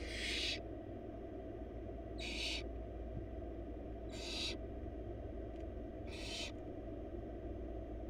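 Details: Four wild barn owl babies hiss for food in a monitored nest box while the female brings a huge rabbit; four broadband rasping screeches roughly every two seconds, first loudest, over constant low hum.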